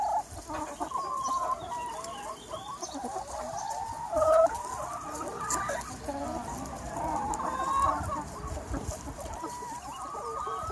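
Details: Free range chicken flock on a sunny spring day, many birds calling together: overlapping clucks and drawn-out tonal calls, a few louder rising notes standing out from a dense, continuous murmur.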